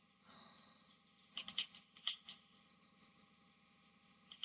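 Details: Hairy Woodpecker in spring near the Willamette River, Eugene, Oregon, gives a high, thin, squealing call lasting under a second, followed by a scatter of sharp, irregular clicks and taps.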